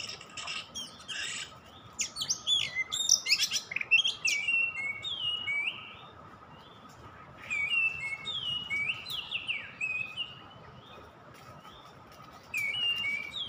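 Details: Oriental magpie-robin song used as a luring recording: a fast, varied run of whistled, twangy and slurred notes in bursts, with short pauses between phrases, over a steady faint high tone in the background.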